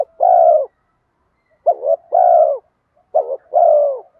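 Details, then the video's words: Spotted dove in bronze-voice style with urging coos, used to pull wild doves in: a long low coo, then two phrases of a stuttered double note followed by a sustained hollow coo. "Cu gáy giọng đồng pha thúc Gù Kèm Mắt Me rút chim bổi cu gáy rừng nhanh về cội"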